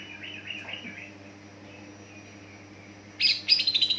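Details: Greater green leafbird singing to prompt other leafbirds: soft warbled phrases at first, then a loud burst of rapid repeated notes near the end, with constant low electrical hum.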